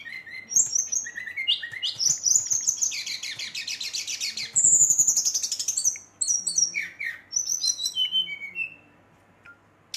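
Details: Brown-chested jungle flycatcher singing at night, agitated and provoking rival birds: a dense, fast run of high chirps, trills and whistled slurs, with one loud buzzy burst in the middle, about four notes per second.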